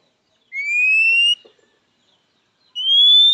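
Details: {'caption': 'Oriental magpie-robin calling a rival, a sound that draws a quick response from males and females: two drawn-out, clear whistles, each gliding gently upward, separated by a second of silence.'}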